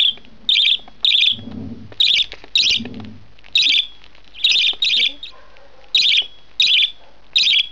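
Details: One-month-old budgerigar chick at feeding time, giving high, harsh, buzzy begging squawks in short bursts about every half second, steady and insistent, with soft low handling noises beneath.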